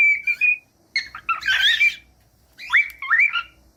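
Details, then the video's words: Pet cockatiel song meant for training young or quiet birds to sing: a steady whistled note, then a burst of harsh chirps and a pause, followed by rising, warbling whistles. "15 MINUTOS DE CANTOS DE CALOPSITA"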